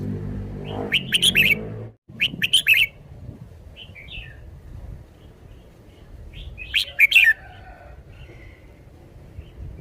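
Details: Caged red-whiskered bulbul performing its song phrases. Bright, chirpy, warbled bursts come at about one, two and a half, and seven seconds, each a quick run of high notes. A low humming sound comes before the first burst.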